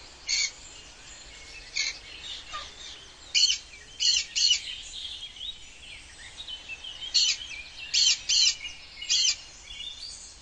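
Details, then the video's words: Wild cockatoo at dawn in the early morning, giving short, harsh, rasping screeches in scattered bursts, often in pairs, about ten across the stretch, over a soft background of chirping birds. "Wild Cockatoo's Morning Serenade"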